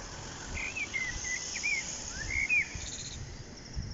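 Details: Common blackbird singing in spring, 1 April 2021, at Lanfertsweg beside daffodils; mellow, wavering whistled phrases rising and falling, with a faint high twitter near the end over low outdoor rumble.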